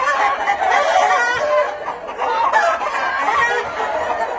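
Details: Black-tailed red Marans chickens kept in a small project pen give steady overlapping clucks and nasal squawks throughout, a busy flock chorus with a slight dip in loudness near the middle.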